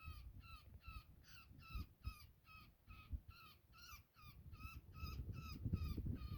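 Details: Woodpecker caught in a net during a rescue, giving harsh harmonic distress calls with falling tails, about four per second, fairly faint over low rumbling handling noise.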